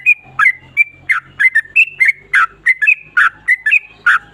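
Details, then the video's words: Ropel panjang, a long rolling song of a yellow-vented bulbul, with quick whistled notes mixed with richer, burry syllables, roughly eighteen in four seconds, delivered in an uneven, tumbling rhythm. "TRUCUK ROPEL PANJANG"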